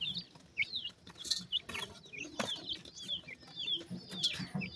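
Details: Pheasant chicks at their feed give repeated high, down-slurred whistled peeps, several birds overlapping, while sharp pecking knocks and clatter break in.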